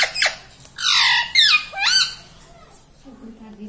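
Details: Pet green ring-necked parrot kept indoors saying words such as "mummy" and "radhe radhe": loud, squawky, nasal syllables with sweeping pitch, three to four quick word-like bursts, then a soft human voice at the end.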